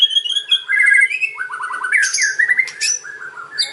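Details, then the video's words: White-rumped shama in kretekan style, used to lure other shamas into answering: clear whistled phrases, then a run of quick stuttering notes stepping downward, then sharp high bursts and rising whistles, over a faint steady low hum. "KRETEKAN & OCEAN MURAI || MEMANCING BURUNG MURAI APAPUN LANGSUNG NYAUT"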